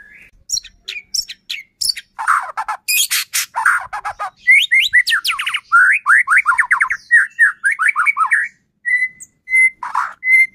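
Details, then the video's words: White-rumped shama song intended to trigger singing in another shama: thin sharp notes and harsh rattles give way to a long run of quick rich whistles, ending in steady level whistled notes. "Murai batu gacor AMPUH buat PANCINGAN murai batu agar bunyi JADIKAN burung murai EMOSI"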